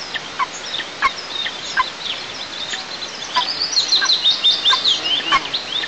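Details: Nest-camera recording from southeast Tatarstan on 6 July 2024 as eagle young object to the mother feeding herself. Thin, high squeals come irregularly, then crowd together into a denser chittering run near the end, against a constant noisy hiss.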